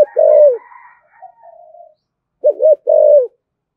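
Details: A spotted dove's 'thổ thúc gù' coo, used to provoke wild doves, ends one phrase and gives another wavering double-note-and-held-coo phrase, with faint higher whistling tones in the gap.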